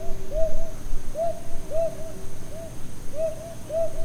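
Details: A Brown Hawk-Owl gives soft, mellow hoots in quick pairs, each pair about a second apart, over a low steady hum and faint hiss. The doubled hoot is a territorial call meaning "I live here."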